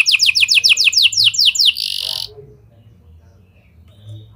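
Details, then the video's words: Canary singing a lovebird and prenjak style song as a lure for other canaries: a fast run of about a dozen sharp descending notes, a short buzzy burst, then near quiet. "Kenari Gacor Cengkok Lovebird & Prenjak! Ampuh Buat Pancingan Kenari Lain Agar Gacor Panjang"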